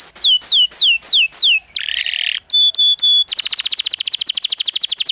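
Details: Canary rolling 'ngerol' song for training young canaries in the 'ngriwik' sound: a series of looping descending whistles, a harsh buzz, three ringing metallic notes, then a long fast rhythmic trill.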